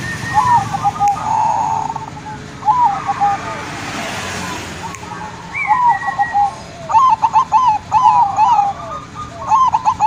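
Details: Zebra dove cooing used as a lure to prompt other doves to call: soft warbling, stuttered whistle-like phrases, sparse at first, then a rapid run of repeated bouncing notes near the end, with light background noise.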